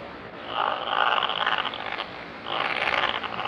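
Razorbill giving two harsh, rasping growls, each about a second and a half long, separated by a brief pause.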